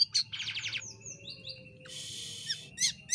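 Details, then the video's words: Actively singing Jalak Kapas myna kept as a tutor for training birds: sharp chips, a rapid rattling trill, soft whistled slides and a long harsh buzz, ending in bright clicks. "Jalak Kapas Gacor l Burung Masteran Paling Aneh Bunyinya"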